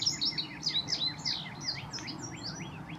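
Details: Indigo bunting that has not finished molting into full plumage, visiting in spring: quick high sweet notes, paired slurred chirps and downward sweeps tumbling in a brisk phrase over a soft low background hum.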